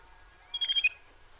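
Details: Little grebe producing a single brief, shrill trill of four or five quick high pulses lasting under half a second, with faint background hiss.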